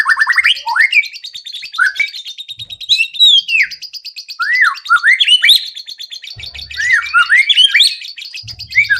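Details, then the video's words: White-rumped shama song played as a lure for other birds: curving whistled slurs over a steady high buzzy trill, in short bursts with brief gaps and faint low thumps. "PANCINGAN MURAI BATU AGAR CEPAT BUNYI BONGKAR ISIAN"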